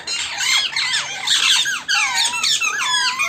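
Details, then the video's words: Evening meeting of wild parrots at a home, continuous high-pitched chatter of bending, whistled squeaks overlapping from several birds, loud and unbroken throughout. "Wild parrots in our home(evening meeting)"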